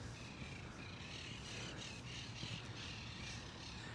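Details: Flock of feral monk (Quaker) parakeets in Brooklyn, New York, on 25 January, near Greenwood Cemetery / Sunset Park: harsh, scratchy overlapping squawks over a low urban rumble.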